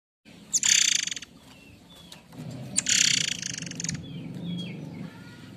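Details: White-rumped shama of the Air Mancur type giving its signature harsh notes, used to provoke and tutor other birds: two long rasping, buzzy bursts about two seconds apart, with faint thin whistles between and a low background hum.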